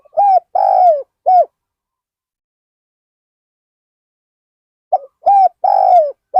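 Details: Spotted dove used as a decoy for wild birds at Ban Nong Hin: end of one cooing phrase, then a full phrase of a brief note, round coo, long descending coo and a final coo after a pause.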